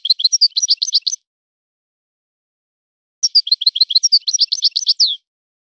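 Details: Two separate phrases of goldfinch song in the 'son of the forest' style, each a hurried series of sharp, tinkling chirps; the second ends in a downward-sliding note, with nothing else audible.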